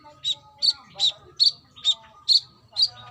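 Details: Female brown-throated sunbird calling a male in trotol song: seven sharp, high, emphatic chips evenly spaced roughly twice a second, with faint lower tones beneath.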